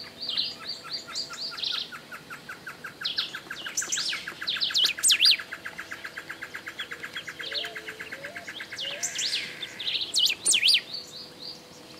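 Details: Golden-billed saltator song, Esperanza, Argentina, 2019: bright, sharply rising and falling whistled phrases at intervals. A long rapid series of chips from another bird runs through the clip, with a few low, soft whistles.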